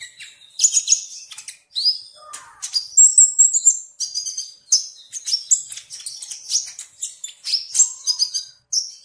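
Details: High-pitched sunbird song over several seconds: jumbled squeaky chirps, rising whistles and thin sustained notes, delivered in rapid bursts separated by short gaps.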